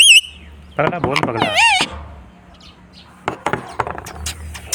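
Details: Pet Indian ringneck parrots at home, a male and a female kept together. Loud, wavering, harmonic-rich screeches at the start and again after one second, mixed with a person talking, then clicks and bursts of noise.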